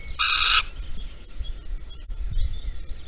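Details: A little owl at Holten, 05:59 on 16 April 2020, male with a caterpillar while the female is away: a single harsh, raspy half-second screech, then quiet with a low background rumble.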